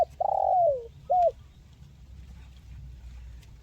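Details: Spotted dove with a crisp 'mersik' call, meant to encourage lazy birds to sing. A long, downward-sliding coo is followed by one short closing coo, then quiet low background hum.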